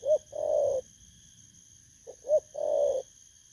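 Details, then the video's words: Spotted dove, wild-caught, uttering its 'bầu' lure coo, recorded 19 August 2024; two phrases, each a quick sharp note followed by a drawn-out, rough, level coo, separated by a pause, faint high background hum. "Kèo Thu phục Thổ cấn Bầu"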